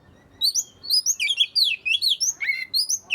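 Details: Oriental magpie-robin song played to prompt lazy magpie-robins to sing: rapid varied phrases of whistled, slurred notes and sharp chirps, high-pitched, in quick bursts about every third of a second after a quiet start.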